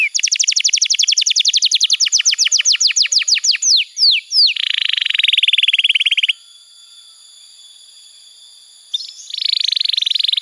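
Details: Tutor song for young canaries and trigger for birds that have stopped singing: a quick rattling series of falling notes, a couple of slurred whistles, then a dense buzzy trill. About three quiet seconds follow before the trill resumes.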